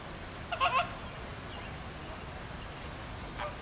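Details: Flamingos in a zoo flock at Philadelphia Zoo, moving together in a circling, wing-flapping display; a quick cluster of three or four overlapping honks, then quiet with one faint call near the end.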